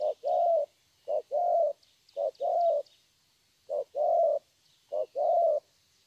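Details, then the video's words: Young spotted dove of wild origin in thổ voice style, giving four two-part phrases of a short low coo then a longer, slightly rising hum, with gaps of up to a second; faint high chirps behind. "Thổ tốt tiếng.(chim tơ)"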